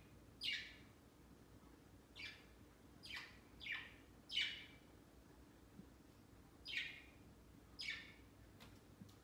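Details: Pet budgerigars crowding onto a large Christmas tree beside their bird cage on Christmas Day, their first Christmas. A lively run of eight quick, scratchy, down-slurred chirps, irregularly spaced about a second apart, over a quiet indoor hum.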